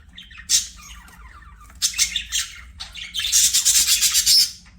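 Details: Playing budgies singing: a sharp chirp, then scratchy warbled notes, closing in a dense, buzzy run of rapid chattering syllables lasting over a second.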